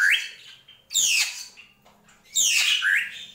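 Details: Drongo delivering gentolang song: a clear note sliding up and holding, then two grating, buzzy downslurred squawks, the last ending in a brief rising whistle.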